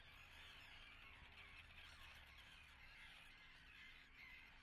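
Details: Many common terns call at a nesting site in Atlit on 10 June 2010, producing a steady wash of harsh, squeaky calls with occasional clearer notes above a low hum.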